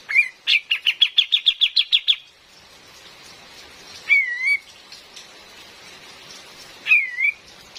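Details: Female cream-vented bulbul used to lure wild birds: a fast burst of ten sharp repeated chirps lasting two seconds, then two separate slurred, dipping whistles, all over constant rain noise.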